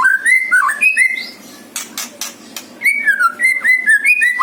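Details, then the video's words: White-rumped shama from Bali, used as a lure: clear, rich whistled phrases that rise and fall, interrupted midway by a burst of harsh broadband noise, then a run of varied looping whistles. "Pancingan MURAI BATU suara ALAM"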